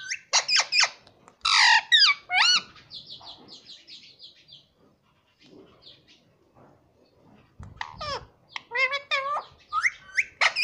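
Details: Pet rose-ringed parakeet that says "mummy papa", chattering loudly: rapid sharp chirps and squeaky word-like syllables, then a quieter run of thin notes, a pause with faint thumps, and another burst of twisting, voice-like calls.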